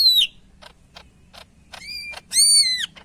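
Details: Greater green leafbird, called cucak ijo, from Medan, singing actively: clear whistled notes, one sliding down at the start, then scattered short clicks and a pair of loud, arched, bright whistles near the end.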